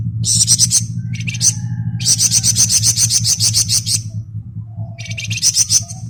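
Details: Flamboyan in busy ngebren song, pouring out fast, rasping, high trilled phrases in repeated clusters, a faint low whistle between them, over a constant low hum.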